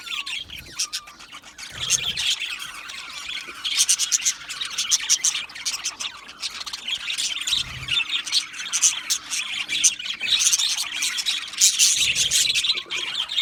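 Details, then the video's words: A group of budgies chirping contentedly and calling to one another: a long, unbroken chatter of high squeaky notes and warbles, with louder clusters of sharp chirps now and then and faint low thumps. "Budgie parrot chirping sounds"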